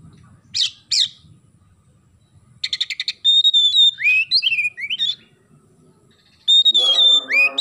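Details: Oriental magpie-robin song mixing sparrow-like harsh chirps and rattles with clear whistled slurs. A lower, nasal, harmonic-rich note appears near the end.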